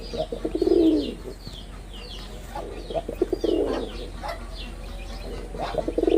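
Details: Performing male pigeon of the red-bordered wild type, Bangladesh: deep rolling coo, a pause filled with sparrow-like chirps, then a second coo building from clipped notes and a third starting at the end.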